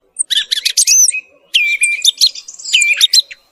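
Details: Thrush song used as a hunting lure, recorded in the morning: rapid varied phrases of high whistles, rattling trills and sharp chirps in two bursts separated by a short pause.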